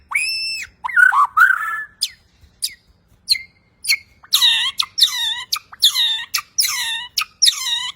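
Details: Bornean white-rumped shama, a champion bird in full clear song packed with varied fills. An arched whistle opens, then a warbled phrase and scattered sharp clicks. A loud series of bright, ringing notes follows, repeated roughly every half second.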